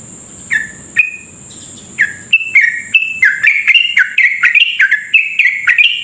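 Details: Sooty-headed bulbul in long, rapid 'ropel' song, used as a lure to stir other bulbuls into fast singing; starts with sparse notes, then bursts into a dense run of short bubbling, falling whistled phrases under a steady thin high whine.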